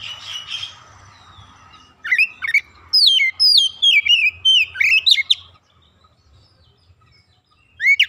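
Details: Oriental magpie-robin, a raw kacer in training, singing actively and displaying its fill-in repertoire: a brief chirp, then a steady series of downslurred whistled notes repeated about every third of a second, silence, and one final short note.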